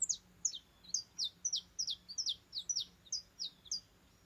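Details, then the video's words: Saffron finch song: a steady series of high, sharp chirps descending in pitch, about two to three notes per second, clear over a faint low hum. "CANÁRIO DA TERRA"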